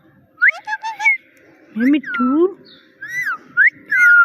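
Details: Little bird mimicking words "Mitthu" and "meow" in a funny voice: a quick high fluttering phrase, two rising throaty syllables, then several arched whistled notes close together.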